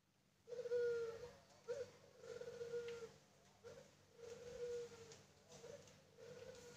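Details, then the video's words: Puter pelung Barbary dove from a breeding farm cooing repeatedly: drawn-out, mellow, even-pitched coos, each about half a second to a second long, coming roughly every one to one and a half seconds, with a faint low hum behind. "Puter Pelung Paud"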